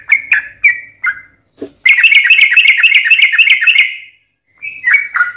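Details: Sooty-headed bulbul in a long, energetic song: short whistled phrases, then a two-second rapid trilling rattle on one pitch, followed by more falling whistles.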